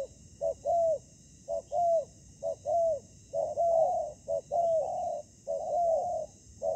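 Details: Spotted dove decoy in ground trapping confronting wild rival doves: repeated pairs of a clipped note and a longer falling coo, delivered roughly every second, briefly overlapping midway.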